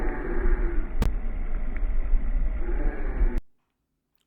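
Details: Loud low rumble and handling noise with a sharp knock, ending abruptly in silence, no animal calls.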